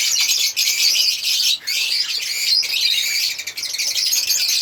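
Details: African lovebirds chirping and singing in an unbroken, high-pitched chatter of harsh squeaks and twitters, with only momentary dips in loudness throughout.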